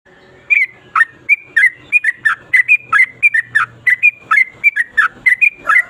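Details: Yellow-vented bulbul in the long rolling song style called ropel panjang: a brisk, unbroken string of short whistled notes, each slurring up and down, about three per second, bright and chattery.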